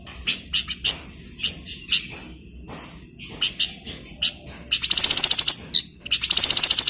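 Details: Flamboyan bird singing energetically, recorded as a tutor song for training magpie-robins; high thin chirps and short notes repeated rapidly, building to dense buzzy trilled bursts near the end.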